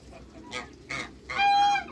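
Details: Among six African and Toulouse geese meeting new geese, two short rough calls lead into one loud, steady, nasal honk held for about half a second.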